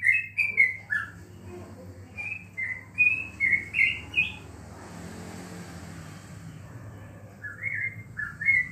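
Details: Caged yellow-vented bulbul, a contest bird kept at home during the corona period, gives bursts of bright chattering whistles, falls silent for a few seconds amid faint hiss and traffic-like rumble, then resumes.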